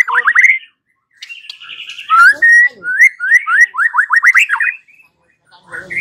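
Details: Lure recording of white-rumped shama song meant to make a bird answer and sing, with quick upslurred whistles in bursts, a buzzy trill, then a series of rapid rising whistled notes.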